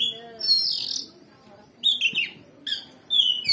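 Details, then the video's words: Oriental magpie-robin (kacer) song played as a provoking recording to stir a caged male into fighting mood: bright whistled and slurred phrases with short pauses between bursts, a faint steady high tone behind. "Pancingan Kacer Gacor Ngeplong Bongkar Isian"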